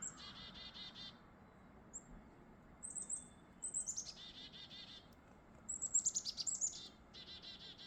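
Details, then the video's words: A pair of chickadees sing on a foggy, mild winter morning, giving high, thin notes followed by short runs of buzzy, rapidly repeated 'dee' notes in several bursts, over a soft low rumble. "a pair of chickadees blessed us with songs"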